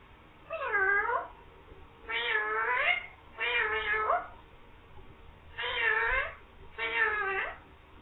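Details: Green parrot talking, saying "mian mithu" and meowing; five drawn-out, harmonic, cat-like meows, each sliding down then up, spaced about a second apart over a low steady background hum.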